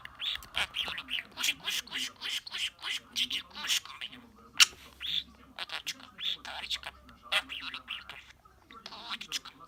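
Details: Pet budgerigar, a male hatched in August 2018 that knows about 80 words and sounds in several languages, dancing and kissing a mirror while chattering nonstop in rapid, scratchy speech-like bursts and squeaky clicks.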